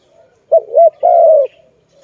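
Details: Malay or zebra dove near a trap, with caught doves released; a single phrase made of a rolling double note followed by a long, slightly falling coo.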